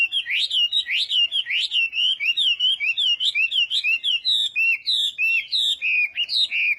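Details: Chinese hwamei singing a morning voice-training song: continuous bright whistled notes, each a quick upward sweep and fall, repeated evenly several times per second with varied pitch.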